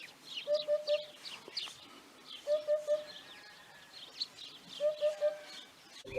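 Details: Three bursts of soft triple hooting from a Eurasian hoopoe, evenly spaced about two and a half seconds apart, with busy high-pitched chirping and twittering from other birds around it.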